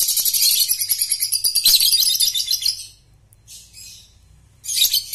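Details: Young lovebird under five months old, used to coax and train young birds into trilling (ngekek): a long, very high, rapidly pulsing chattering trill for about three seconds, a near-silent pause, then the trill bursts out again.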